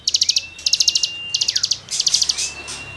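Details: Cigun singing for songbird tutoring: short, sharp trains of high clicking notes separated by thin drawn-out whistles, one whistle sliding downward, steady background hiss.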